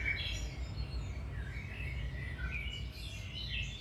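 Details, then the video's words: Singing domestic canary, a recording intended to help canaries start singing again; soft sliding whistles and chirps wander up and down against a loud low rumble. "Canary Singing"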